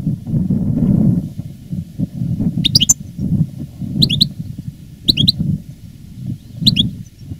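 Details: Caged veteran male European goldfinch kept as a master song bird, recorded live after the moult, giving short sharp two-note chirps spaced a second or more apart over a steady low hum.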